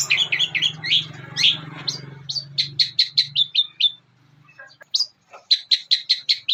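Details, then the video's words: Long-tailed shrike master song for training songbirds, with mimicry of other birds; rapid runs of sharp high chirps and whistled notes repeated in quick series, a short pause, then more clipped notes, over a faint low hum. "Masteran Burung Cendet Isian Gereja Pethir Sambung Armagendon dan Kuntilanak"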